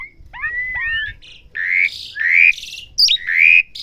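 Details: Asian pied starling in training to learn sounds, giving clear whistled slurs that bend up and down, followed by louder, drawn-out rising whistles with brief harsh overtones.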